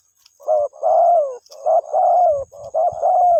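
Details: Spotted dove calling its mate, a low, soft cooing phrase of several hooting notes, the longer notes slightly falling, repeated twice in quick succession; faint low thumps in the background.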